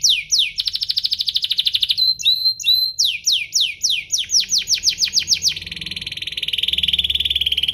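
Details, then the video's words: Canary song to encourage other canaries to sing: quick falling whistles, a rapid pulsed trill, short paired notes, a run of bright descending sweeps, and a sustained buzzy roll at the end. "burung kenari ini pintar pancing emosi, Pancingan kenari biar gacor"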